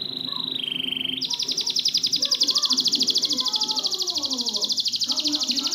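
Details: Master song for canaries that stopped singing: a short steady trill, a lower pulsed phrase, then a long, fast, buzzy trill held for several seconds, with faint softer sounds beneath.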